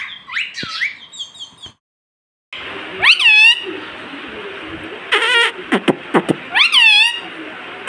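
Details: Talking pet parrot, known for saying "mitthu" and "mummy", giving scattered bright, upswept and hooked vocal notes after a brief silence, with a few sharp clicks and a soft background hiss.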